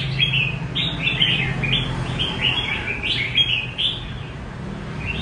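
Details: Kept red-whiskered bulbul delivering 'rê cầu' style song: short bright warbling phrases about every half second, some with a clear whistled note, with a constant low rumbling background.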